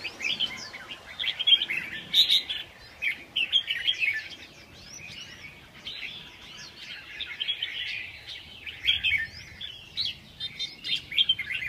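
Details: Red-whiskered bulbul song made of lively clusters of sharp whistled and chirping notes. Loud bursts come in uneven runs with brief quieter pauses, over a soft steady background noise.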